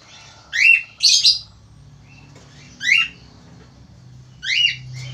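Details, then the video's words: Male Australian finch, a vigorous caged singer kept as a tutor for lazy singers, gives four harsh, nasal chirps with sweeping tones, two close together early and then single ones spaced over a second apart, over a low steady hum. "FALK AUSTRALIA JANTAN GACOR"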